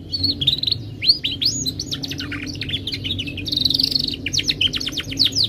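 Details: Timbrado canary singing a melodic training song: rapid series of high swept notes, falling and rising, with a brief buzzy trill midway and faint low hum beneath.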